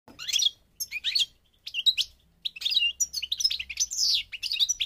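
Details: European goldfinch of the North African subspecies parva, from Morocco, singing: high, fast twittering phrases with short pauses between them, then a longer unbroken run of tinkling, buzzy notes and quick slurred chirps.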